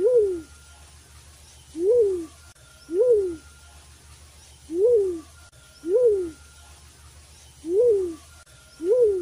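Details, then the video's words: Black-chinned fruit dove, known locally as bagatan, used as a hunting lure call: a low hollow hoot rising then falling, repeated in pairs and singles roughly every one to two seconds, with a faint steady hum beneath. "3 Hours Bagatan (Black Chinned Fruit Dove) Sound - Full Package Hunting Call"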